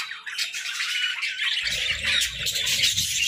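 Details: Winter-breeding budgies giving a steady wall of shrill, scratchy chirps and squawks, with low rumbling bumps joining halfway through.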